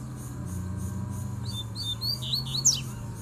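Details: Wild Double-collared seedeater in the bush calling to fight over territory; a short run of slurred whistled notes builds late, ending in a sharp high sweep, with a low engine-like drone throughout.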